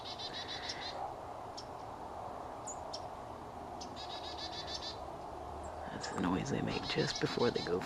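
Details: A male Northern Cardinal at a backyard feeder on an evening, 3/2/13, gives sharp, high chip notes and quick bursts of rapid repeated notes, its loud call made just before flying to the feeder, over a steady hum; a man talks at the end.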